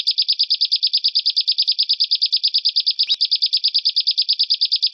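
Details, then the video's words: Harsh 'besetan' training material for caged and contest songbirds: a fast, even series of high chip notes, roughly three per second, running steadily with one brief click partway through. "MASTERAN BESETAN KASAR|| Bringas Kasar suara BESETAN kasar"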